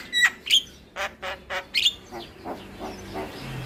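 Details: Javan myna (jalak kebo) song played to lure silent or reluctant mynas into singing: a series of harsh, squawking notes and short whistles, the first loud and spaced, then fainter repeated squawks about three per second.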